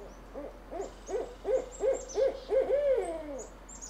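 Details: Wild barred owl in a backyard giving its territorial call: a series of about eight mellow, rhythmic hoots that quicken and strengthen, ending in a long drawn-out descending hoot, with faint high chirps of small birds behind.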